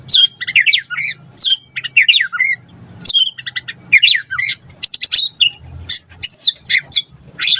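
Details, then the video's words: Varied lure song of a white-rumped shama to prompt an answer: continuous quick high chattering phrases, sharp rising and falling slurs and short bursts, steady over a low background hum. "Pancingan Murai Batu Gacor Cepat RESPON Langsung NYAUT Jadikan Suara Burung Murai Gacor Full Isian"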